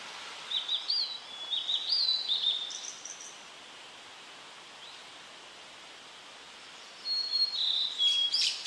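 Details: Tledekan singing as training material for cage birds: two bursts of high, sliding chirps and squeaky whistles about four seconds apart, with steady background hiss between them.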